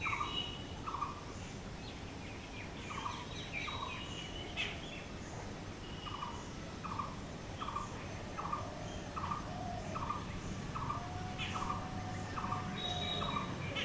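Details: Blue-throated barbet, known locally as bosonto bouri, calling: short, blocky, throaty notes in a mid pitch, repeated about 78 times a minute with an uneven rhythm. Other birds give higher chirps and whistles over a steady low background rumble.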